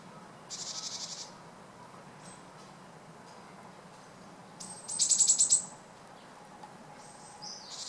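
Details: Wild Japanese tit feeding busily on food on a tree while flitting through park treetops, recorded 7 February 2013 with a Panasonic LUMIX FZ200; two brief, very high, rapid buzzy trills with faint high notes between, over a steady low hum.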